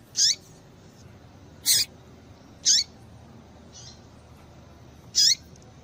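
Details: Female papa-capim seedeater piping to stir males: loud, high, clipped chirps about once every second or so, several with a quick falling end, plus one faint softer note.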